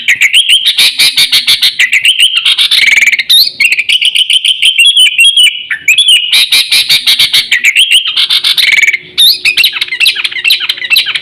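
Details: Nonstop chattering of a sooty-headed bulbul, a lure call meant to draw birds in and teach pet birds: rapid clicky notes laced with looping whistled phrases, one brief dip in loudness late on.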